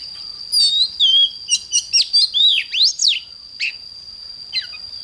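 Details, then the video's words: Oriental magpie-robin singing in the morning, a recording for training magpie-robins to sing strongly: a dense phrase of swooping, looping whistles followed by two isolated short notes, over a steady high background tone. "Chích choè than hót sáng"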